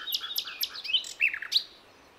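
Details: Wild Javanese and Acehnese forest bird, recorded for luring young birds: about six quick sharp chirps and twittering slurs packed into one and a half seconds, then silence.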